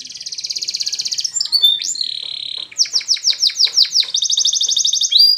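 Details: Training song of a Spanish Timbrado canary: a buzzy high roll, a sustained flat whistled tone, a run of slurred downward notes, then another fast metallic trill.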